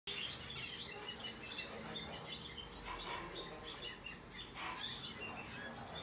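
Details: A hand-tame white-faced Australian cinnamon rosy-faced lovebird chick, recorded 3 April 2022, chirps steadily in thin, high, scratchy notes in quick overlapping runs, broken by a few louder harsh squeaks, over a low indoor hum.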